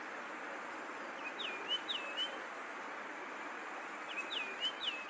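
A longclaw gives two short runs of high, thin whistled notes, each slurring downward, over a steady rushing hiss of wind or background noise.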